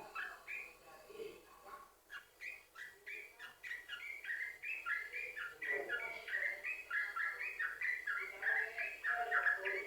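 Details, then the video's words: Yellow-vented bulbul lure song for prompting other bulbuls to sing: starts softer and scratchy, then builds into loud rapid bubbly chattering notes, some overlapping, growing denser toward the end. "Ini Ampuh Buat Pancingan Trucukan Agar Bunyi"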